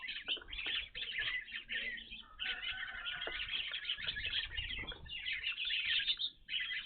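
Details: A group of evening grosbeaks visiting a bird feeder, unseen at this site before: a thick wash of sharp, overlapping chirps with scattered clearer whistled notes, steady throughout and briefly dipping near the end.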